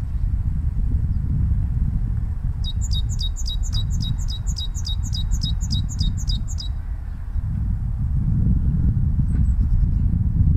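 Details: Great tit in spring sings a bright, high two-note phrase repeated quickly, about ten times in four seconds, over a steady low rumble of distant traffic.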